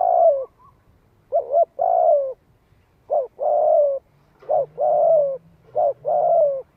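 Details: Spotted dove calling to entice wild doves, 'giọng hạp' style; rapid succession of phrases, each a short clipped note then a sustained dropping coo, about five phrases in quick rhythm.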